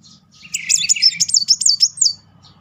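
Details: Van Hasselt's sunbird singing as a lure to spark other birds: a quick burst of high, thin, wavering twitters lasting under two seconds, clear over a faint low hum.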